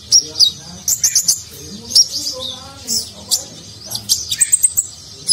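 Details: Sunbird (konin) singing an ornate nagen-style song used as a training recording for contest birds; rapid high, sharp chirps and twittering notes in irregular bursts over a faint low background murmur.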